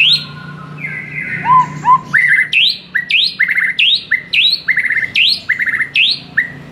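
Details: Master song of a white-rumped shama meant to stir a silent bird: soft low whistles open, then a long series of sharp rising high notes each followed by buzzy descending trills, repeated about twice a second.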